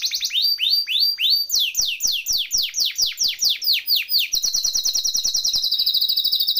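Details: Canary song for training other songbirds: a run of rapid descending whistled notes about three per second, changing into a fast, dense high trill.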